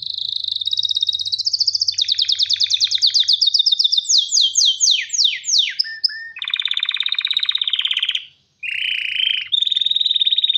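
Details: Breeding-ready male canary singing to attract a female: rapid high trills sliding upward, a sequence of sharp descending whistles, then long dense rattling trills and a short gap before more trilling.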